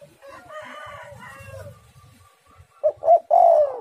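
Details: Spotted dove phrase at the close, two quick coos and a drawn-out falling coo, following a murmur of mixed bird chatter and a low hum.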